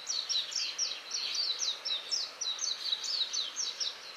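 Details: Japanese white-eye singing after sunset in a tree near a house: a continuous rapid warble of high, thin, slurred chirps about four a second, bright and twittering, with faint background hiss.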